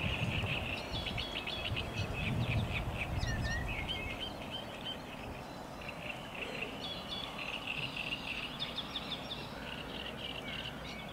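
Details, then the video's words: Great reed warbler singing at Lake Czerniakowskie on 24 May 2021: a long run of rapid, chattering phrases of short, grating notes repeated several times a second, over a constant low rumble. "Śpiew trzciniaka"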